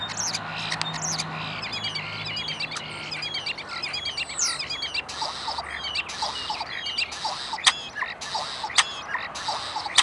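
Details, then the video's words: Common starling singing close to the recorder; a varied medley of thin whistled slurs, squeaks and rising and falling notes, followed by sharp clicks and short chattering bursts, with a low hum early on. "Starling Mating Call"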